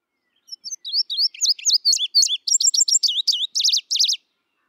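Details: A summer-singing Indigo Bunting (Passerina cyanea), a hedgerow and forest-edge bird, sings a bright, high, rapid series of sweet notes mostly in pairs, many slurring downward, ending in buzzier doubled phrases over about four seconds.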